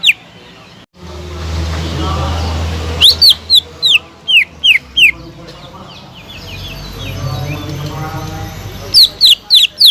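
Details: Greater green leafbird singing steadily, a lure track meant to excite silent leafbirds: a run of crisp, falling whistled notes in the middle and again at the end, over a low humming background and faint murmuring.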